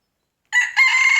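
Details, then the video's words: Morning crow of a rooster, a brief fragment: two loud buzzy harmonic notes, the second held steady after a short break, starting out of silence. "Rooster crowing in the morning!"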